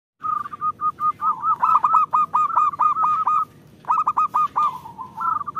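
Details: Local zebra dove singing, used as a lure to get lazy birds to sing: rapid staccato cooing notes in quick bursts, a pause, then another burst trailing into a level coo.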